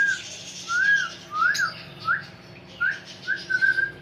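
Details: Talking parrot whistling a series of short arched and rising notes, roughly one every half second, then a longer level whistle at the end, in a quiet indoor setting.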